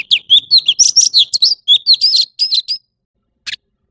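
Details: Quick, tumbling leafbird song: dense whistled chirps and slurred notes in a lively burst lasting nearly three seconds, then silence broken by one harsh rasp.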